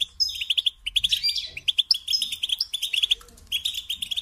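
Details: Song of a European goldfinch for training songbirds: crisp runs of rapid repeated chirps, tinkling and slightly metallic, grouped into short phrases with tiny pauses, over a soft low background hum.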